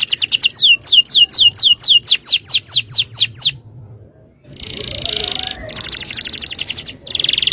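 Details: Yellow canary delivers a rapid series of repeated high downslurred notes for over three seconds, pauses briefly, then switches to dense buzzy trilled rolls.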